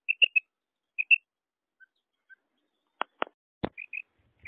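A female quail gives short, high, liquid notes in quick pairs and triplets, with soft pauses between them; a few sharp clicks break in midway.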